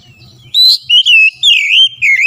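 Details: Lure recording of an oriental magpie-robin singing vigorously: five loud, rich whistled notes and slurs, some rising and some falling, delivered in rapid sequence, with a soft low hum in the background.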